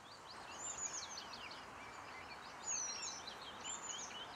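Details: Eurasian penduline tit at Källtorp wetlands outside Falkenberg in 2013, busy finishing its nest, gives thin, very high, drawn-out descending whistles twice, a few seconds apart, over a busy chorus of other small birds.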